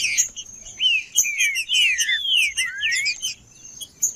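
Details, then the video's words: A singing male green-winged saltator, played to warm up other birds, gives loud drawn-out whistled slurs, some rising and some falling, over sparse high twittering and a constant faint high whine. "Trinca-ferro Macheando 🔥 Trinca ferro cantando Para Esquentar"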